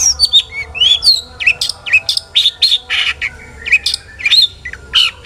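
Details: Singing long-tailed shrike, played to trigger song in other shrikes: a flowing string of clear, bending whistles that swoop up and down, interspersed with short harsh chattering notes, almost continuous.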